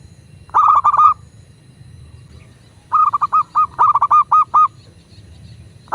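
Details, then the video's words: Local zebra dove cooing as a prompt to get doves singing: a stuttering burst of short notes, a pause, then a longer sequence of rapid clusters and spaced rounded coos, with faint low rumble throughout. "Perkutut lokal gacor pancingan agar burung perkutut cepat GACOR dan BUNYI"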